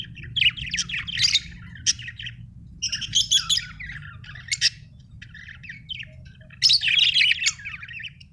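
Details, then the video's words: Budgerigar chirping in rapid, scratchy bursts of high warbles and squeaks, in clusters with short pauses between them, over a low hum. "budgie chirping sound"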